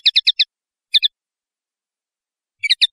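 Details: A run of four quick, evenly spaced chirps from a common linnet, then a two-note twitter and, after a pause, a final cluster of three bright notes.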